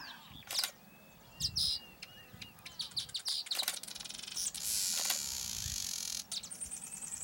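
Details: Southern Masked Weaver weaving nests in Pilanesberg National Park, South Africa, on 7 January 2013: scattered sharp ticks and short chirps build into a long, dry, sizzling buzz, followed by a thin high twittering trill.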